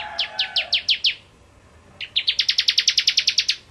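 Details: Bar-winged prinia, crystal ciblek form, singing ngentrok: six spaced, sharp descending chips, a second of quiet, then an accelerating string of about fifteen bright, clipped notes repeated several per second.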